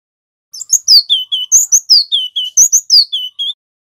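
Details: Male cinereous tit, a local Javan bird, singing loud, clear song used as a tutor and lure for caught wild birds: rapid run of about twelve sharp notes, each dropping from high whistles to a lower buzzy tail.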